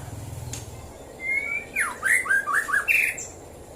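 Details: White-rumped shama singing in the morning near Prambanan, Klaten, Central Java: a brief whistled phrase, then a quick run of short, sharply descending whistled notes. A low hum sounds at the start.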